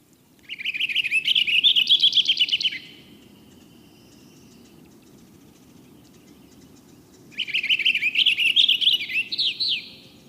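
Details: A purple finch, a bird widespread on a college campus, sings two rich, rapid, complex warbling phrases, each over two seconds long, separated by a long pause, over a low steady hum.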